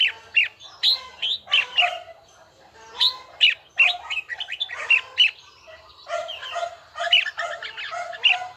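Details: Red-whiskered bulbul in bell-voice training, singing clear, ringing whistled notes in bursts. Sharp upslurred accents punctuate each group, and short silent gaps separate the phrases.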